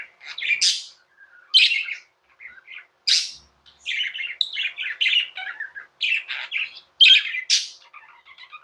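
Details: Pet budgie chirping indoors with sharp, bright squeaks and harsh notes mixed with runs of rapid, buzzy chatter and warbling, in irregular bursts.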